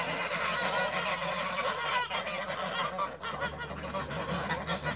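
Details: Several Toulouse geese feeding and flying in a backyard, giving overlapping raspy honks in an unbroken clamour, with a faint low droning hum beneath.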